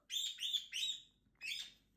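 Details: Pet galah indoors in summer, upset by a fly: four harsh, raspy screeches in quick bursts, each about a third of a second long, with a short pause before the last.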